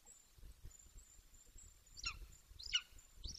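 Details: Bucovina juvenile male Golden Eagle, aged 18 weeks, near the nest: after a quiet stretch of low wind noise, three sharp, downward-slurred yelps arrive in quick succession.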